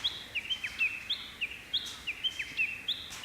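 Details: Japanese bush warbler singing in May from the tip of a pampas grass plume in the morning; a series of high whistled notes with sharp downward slurs and flicks, repeated rhythmically over a quiet background.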